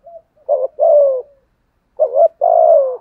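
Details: Caged decoy spotted dove, 'thổ' voice, cooing in 'thúc gù' style to draw out quiet wild doves; a brief rolling note followed by a long sustained low coo, repeated after a one-second pause in a quiet setting.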